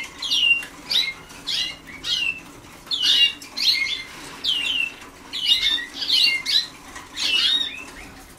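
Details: Young Waterslager canaries learning song give a steady series of short falling whistles and chirps, about one each second, fairly loud and clear over faint indoor noise.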